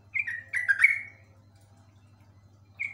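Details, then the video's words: A long ropel phrase from a Yellow-vented bulbul: a quick chain of bubbly, slurred notes lasting about one second, then silence and one brief note at the end, with a low hum behind. "trucuk ropel panjang super komplit"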